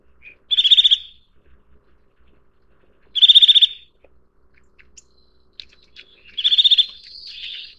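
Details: Eurasian nuthatch (Sitta europaea) giving three bursts of rapid, evenly repeated high notes. Each trill lasts about half a second, with roughly three seconds of quiet between bursts. A soft, fainter note trails after the last burst; the background is otherwise clean.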